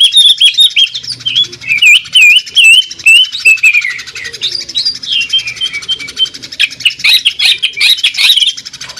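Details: Greater green leafbird song known as jamtrok tembakan, the sewing-machine sound: quick wavy whistled notes and rolling trills over a constant rapid ticking, loud and energetic throughout.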